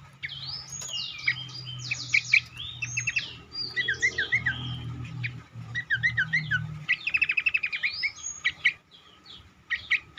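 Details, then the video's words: Lure song of cingcoang meant to set other cingcoang singing eagerly: dense, overlapping whistled phrases and sweeping chirps, with wavering warbled notes and a fast rattling trill near the end, over a low background hum. "burung cingcoang lain semakin gacor dan rajin berbunyi dengan pancingan ini"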